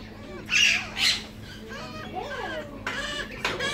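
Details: Female white-crowned parrot, leg-banded: two loud harsh squawks early, then softer nasal rising-falling notes and a few raspy bursts near the end, with a faint steady hum behind.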